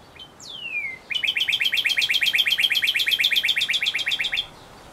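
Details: A male Northern cardinal gives a clear falling whistle, then a fast, even series of about twenty-five slurred notes, roughly seven per second, against a quiet background.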